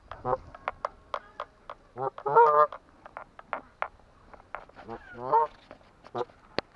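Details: Atlantic Canada goose with two bursts of deep, rich honking set among many short, sharp clicks and taps spread through the recording.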